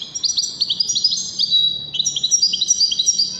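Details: Moroccan goldfinch of the wedani type in continuous song, a rapid liquid twittering of high, chirpy notes tumbling several per second without pause.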